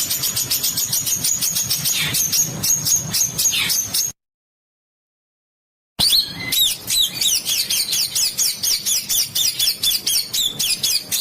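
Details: Training master of harsh bird song for competition birds: dense high, thin chirping over background noise, a brief silence, then a fast run of looping, slurred notes repeated about twice a second.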